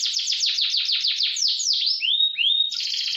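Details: Canary song with fast roll, used for training: a rapid series of repeated downward-sweeping notes, then two clear rising-falling whistles, ending in a dense buzzy trill.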